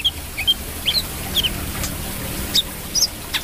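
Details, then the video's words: Brown-throated sunbird in lively song, a rapid run of thin, high, rising chips and twitters, several per second, over a quiet low background hum. "KOLIBRI KELAPA GACOR"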